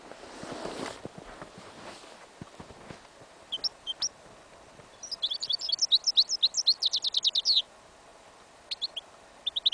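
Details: Goldfinch and yellow isabel canary hybrid singing an incomplete song outdoors in a field in winter: scattered thin high chirps, then a fast run of bright repeated notes, brief pauses, quiet background.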